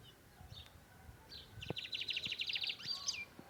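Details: Lined seedeater (bigodinho) singing in the torneado style: after faint scattered notes, a fast, bright, high trill of rapid repeated notes runs for about a second and a half and ends in a short rising flourish, over low background rumble.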